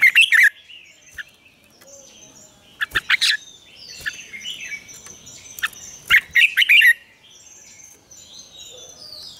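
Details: Red-whiskered bulbul morning song in a double-note, mature wild style, used as a lure to train other bulbuls: three bursts of rich, rapid, warbled notes separated by pauses, with faint high twittering from other birds between phrases.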